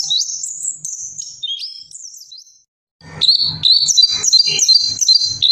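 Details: High, twittering song of an Orange-headed thrush: a short burst of slurred whistles, a silent pause of about a second, then a dense run of rapid chirps over rhythmic low thumping.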